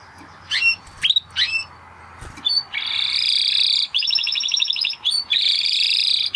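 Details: A Spanish Timbrado canary gives several sharp, upward-flicked chips, then launches into bursts of rich rolled trilling with brief gaps between them.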